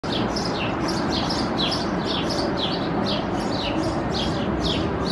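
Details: A male House Sparrow hopping in front of his nest in a crevice of a building facade in Helsinki, Finland, May 2021, gives a steady series of bright, chirping cheeps over a constant background rumble.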